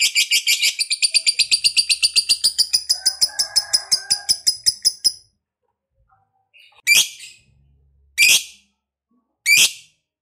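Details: Lovebird ngekek, a long song to provoke other lovebirds: a fast harsh chatter for about five seconds, then silence and three single shrill squawks about a second apart.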